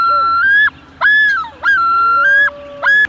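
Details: A Common Loon gives long, clear, mournful notes that hold steady, then break sharply upward in yodel-like jumps, repeated about once a second; an eerie call typical of early summer.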